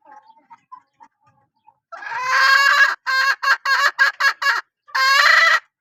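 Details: Hen of a good-calling line: soft faint notes first, then one long, loud, ringing harmonic call, six short clipped calls in quick succession, and a final drawn-out loud call.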